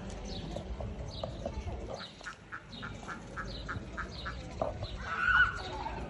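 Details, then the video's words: Peafowl calling with a run of short, clipped honks in steady succession, fading in and out, against a noisy outdoor background with a louder burst of sound near the end. "Pavo real"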